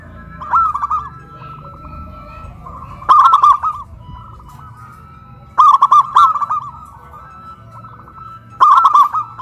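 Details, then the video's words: Hoisted high on a pole in Kuningan, West Java, Indonesia, caged local zebra doves, one deep-voiced and one crystal-voiced, sing loudly: four rhythmic bursts of fast, rounded coos roughly every two and a half seconds, faint softer cooing between. "PERKUTUT LOKAL SUARA BESAR VS SUARA KRISTAL"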